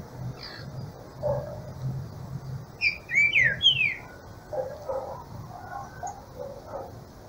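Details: Green-winged Saltator carried in hand on an early-morning walk in cold weather, coming out of its molt and starting to sing a little: a brief burst of sharp, downslurred whistled notes mid-clip, over low rustling and walking noise.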